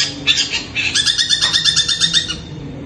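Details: Long-tailed shrike at night, said to sound like a kuntilanak ghost, giving a fast run of harsh, buzzy, scratchy notes in a rapid rattling series lasting about two seconds.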